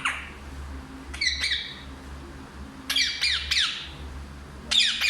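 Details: A parrot that talks in Hindi lets out several sharp, bright, harmonic squawk-like bursts separated by quiet gaps of one to two seconds, over soft background hum.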